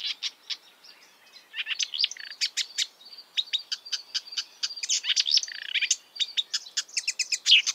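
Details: In the wild, a marsh warbler pours out a fast, jumbled medley of high clicks, buzzes and thin whistles, growing denser after a quiet opening.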